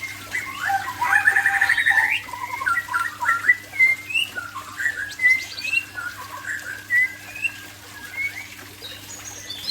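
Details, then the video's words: Aceh-type white-rumped shama in afternoon song, opening with a loud rapid trilled burst, then a string of varied clear whistles, slurs and chips delivered in quick irregular phrases over a constant low electrical hum. "Murai Aceh"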